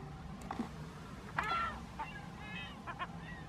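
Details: California gulls on the recovering dry lakebed of Owens Lake near Lone Pine, California, below the Sierra Nevada: scattered harsh, nasal calls with a louder squealing note midway and a few short yelps, over steady low rumble.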